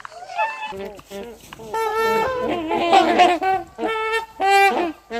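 Swans give loud, nasal, horn-like honks in overlapping bursts, several birds calling together in a brassy, rising and falling chorus.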